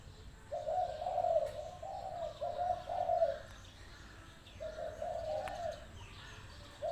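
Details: Spotted dove, a lively bird with a good voice, used as a decoy by a trap enclosure; soft, low, mellow cooing in rolling phrases of several joined notes, a pause, then further coos.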